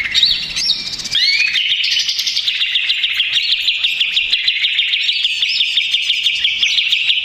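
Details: Stressed, agitated greater green leafbird used as a provoking lure; opens with a few separate sweeping whistles, then launches into a fast, steady, high-pitched chattering babble that runs without pause.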